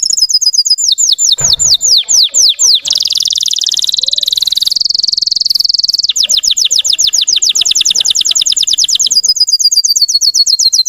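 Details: Canary of the Russian type singing to excite other birds: falling whistled strokes, a long dense buzzy roll in the middle, then quick repeated descending notes and a thin high trill.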